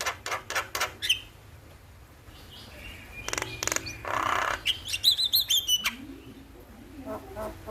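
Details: Starling song in the morning, played to get birds singing: quick clicks and a whistle, a quiet stretch, then loud harsh chatter and a buzzy burst, followed by rapid high twittering and soft low chirps.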